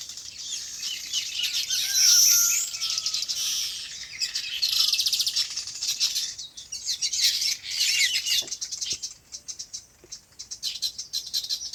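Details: Farmland birds in natural habitat chirping together: a loud high twittering burst around two seconds, then continuous layered chirps and trills that thin out toward the end.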